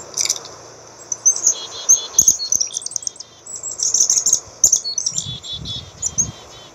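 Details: Black-capped chickadee calling: thin high chips followed by runs of buzzy, harmonic-rich dee notes, given twice, with other high twittering overlapping throughout.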